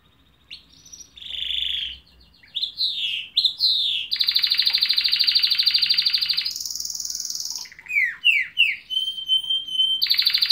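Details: Canary singing a varied phrase: short buzzy bursts and swooping slurred notes, then a long, very rapid metallic trill, followed by more downward-sliding notes and a clear high whistle.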